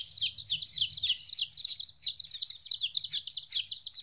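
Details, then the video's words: Fourteen-day-old chicken chicks newly separated from their mother, many birds peeping at once: shrill descending cheeps tumbling over each other without pause, a few thinner higher whistles on top, and soft low background hum. "Chicks Chirping Sounds - Baby Chicken Sounds"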